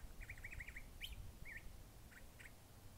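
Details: Curve-billed thrasher singing a varied song: a rapid trilled, warbling run, then a bright sharp note, a short slurred phrase and two clipped notes, with low rumble beneath.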